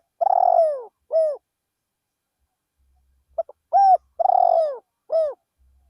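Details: Spotted dove used as a decoy bird, calling in a rice field to lure wild doves: a low coo phrase with a long purring note and falling coos, then short clipped notes leading into a second full phrase after a pause.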